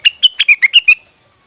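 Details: Leafbird (cucak wilis/rengganis) call used as a lure to make birds sing: a quick run of seven sharp, chirpy notes, evenly spaced, stopping abruptly after about one second.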